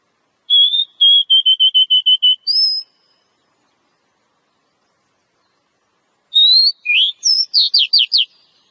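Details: Oriental magpie-robin in the wild: a rapid even series of about ten short whistles ending in a higher note, a long pause, then rising notes and quick downward-slurred chips.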